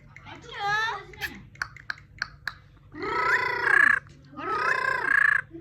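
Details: Pet parrot singing: a warbling, nasal, harmonic phrase, then scattered short clicks. Two longer, richer, wavering phrases follow, each ending in a squeaky whistled note. A low steady hum runs underneath.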